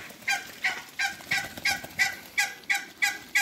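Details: Muscovy ducks on a farm, one giving harsh, nasal, buzzy calls repeated about three times a second in a steady series, over a constant background hiss.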